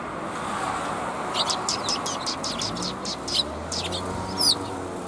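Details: Sparrows coming out to greet on the outbound walk, 16 April 2021: a run of short, sharp, high chirps repeated several times a second for about two seconds, over steady low traffic hum.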